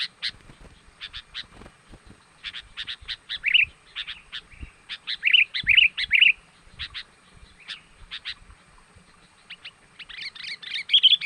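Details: Sooty-headed bulbul calls used to lure wild birds: a long, lively stream of sharp chirps and several rolling warbled phrases, getting busier and more excited toward the end.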